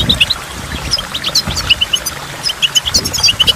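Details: Goldfinch singing by a waterfall with dripping water: rapid high twittering notes in short bursts, with several clear repeated chirps near the middle and end, over a soft low background rumble.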